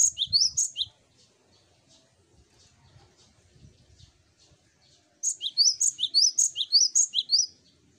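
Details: Lure song of a cinereous tit, meant to prompt other birds to sing: a short run of bright, high chirping notes, then a long burst of quick paired whistles repeated about twice a second.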